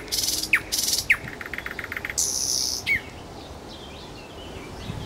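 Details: Nightingale song recorded in Kuzminsky forest park: fast buzzy, rattling trills broken by sharp down-slurred whistles, then a harsh rasping burst and fading soft notes.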